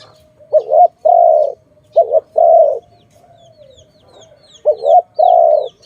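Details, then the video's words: Dove, in a bird-trapping setting, giving three two-part coos: a brief warbling note followed by a sustained low hoot, spaced by pauses, while small birds chirp with thin descending notes in the distance. "Sound of good dove"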